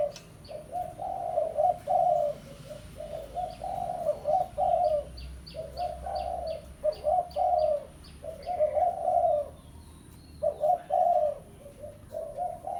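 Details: Spotted dove, pesom style, sounding its lure call to summon a rival. Long sequences of rolling coos are repeated in phrases of three or four notes. A rapid string of high chirps from another bird runs beneath them in the middle.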